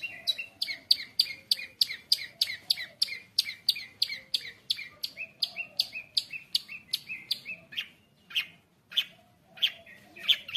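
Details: Long-tailed shrike training song for juvenile shrikes: a long, rhythmic string of sharp repeated chips, about three per second, then slower isolated harsh notes.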